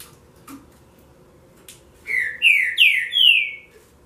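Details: Green-winged saltator singing in the relâmpago style, for warming up other birds: after a quiet start with faint clicks, four strong slurred whistles fall in pitch one after another, the final note drawn out.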